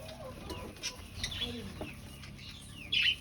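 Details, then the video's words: Finches in an aviary, seeking a nest to breed, give a few short, high chirps, one near the middle and a louder burst at the end, over a steady low hum. "Finch Sounds"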